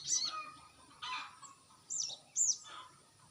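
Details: Lure recording of a crested jay, meant to draw an answer: four separate high notes, including sharp downward-slurred whistles and a broader rasping burst, each about half a second apart, over faint background hiss.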